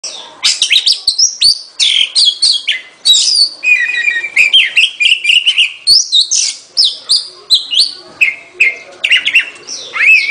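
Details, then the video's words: Oriental magpie-robin singing a loud, varied song of clear whistles, rising and falling slurs and scratchy notes, phrases following each other rapidly with short pauses throughout. "เสียงนกกางเขน ร้องชัดเสียงชัด 2020 Oriental magpie robin"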